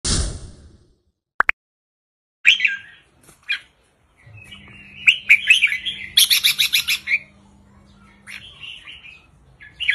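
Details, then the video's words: Caged red-whiskered bulbul singing a short, simple song in the counting style 3-4-5: after a thump and a click at the start, bright warbled phrases and a burst of rapid stacked chirps follow, over a faint steady hum. "นกกรงหัวจุกริกมันส์ เพลงสั้นๆ ร้องง่ายๆ สไตล์นับดอก 3-4-5 เปิดยั้วนกฟังนกคึก"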